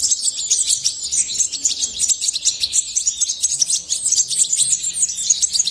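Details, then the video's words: European goldfinch singing a fast, unbroken stream of bright, tinkling twitters and trills, high-pitched and continuous throughout, with short notes running together in a lively jumble. "طائر الحسون من أجمل الطيور وأنداها صوتاً"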